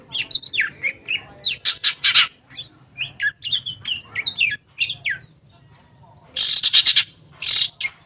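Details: Long-tailed shrike song used to get silent shrikes singing: a varied run of short whistled and rasping notes, rising and falling, broken by harsh broadband squawks near the end.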